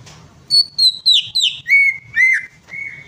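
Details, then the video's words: Greater green leafbird (cucak ijo) lure-song recording, giving a quick run of about seven loud, clear whistles, starting high and slurred, then dropping to lower, steadier whistled notes. "PANCINGAN CUCAK IJO"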